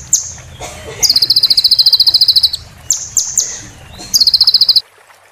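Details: Oriental white-eye training song in 'roll tembak' style for moulting birds, mixed with a water sound: two rapid high buzzy trills split by clipped whistled notes, over a soft low rumbling background.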